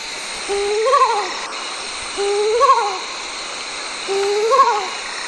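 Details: Kalankozhi, the mottled wood owl, giving three wavering, tremulous hoots spaced roughly two seconds apart, each swelling then dropping away, with constant background hiss.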